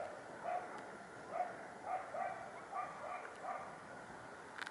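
A hooded crow gives a quiet series of short, hoarse caws, roughly two per second, with some spacing between bursts, over faint background hiss.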